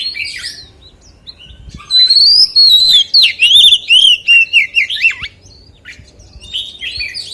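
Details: White-rumped shama singing in the 'forest voice' style: after quiet twittering, a loud burst of clear whistles that slide up, then a run of about eight rapid, warbled notes falling slightly in pitch, with softer chatter closing.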